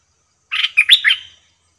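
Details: Bulbul song at a trapping cage, a wild bird having come in fast: a compact burst of four throaty, warbling chirps, the third loudest, ending in a falling slur, nothing else audible.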